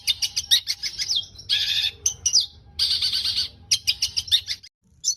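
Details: Long-tailed shrike song used as a training model for caged birds: varied high chattering notes, buzzy trilled bursts and short downslurred whistles, with a low hum underneath.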